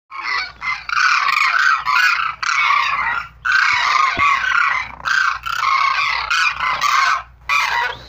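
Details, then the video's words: Sarus crane calling in loud, harsh trumpeting bursts of about one second, separated by brief gaps, with overlapping voices. "Crane bird sound #کونج کی آواز/sarus crane/سارس کرین"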